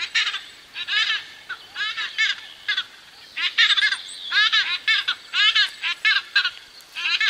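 White-bellied bustards calling as a pair: harsh, rhythmic croaking phrases in rapid bursts, repeated about every second, with faint insects and distant birds behind.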